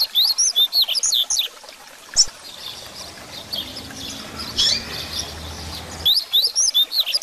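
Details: Double-collared seedeater singing in the grego song style, used as a tutor to teach and stir young birds to sing: bursts of quick, sharply rising and falling whistled notes about four times a second, a hissing pause, then the phrase resumes.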